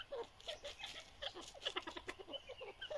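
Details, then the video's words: A captive breeding pair of grey francolins gives a busy stream of short chirps, soft clucks and brief whistled notes, several per second, with faint scratching and tapping underneath. "Grey Partridge Best Breeder pair | Teetar Breeding"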